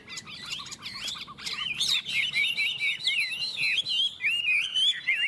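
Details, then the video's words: Two Chinese hwameis from Tuyen Quang, Vietnam, in a singing duel, sizing each other up, pour out rich loud whistled phrases with rapid slurred trills and repeated notes, barely pausing. "Họa mi hót đấu"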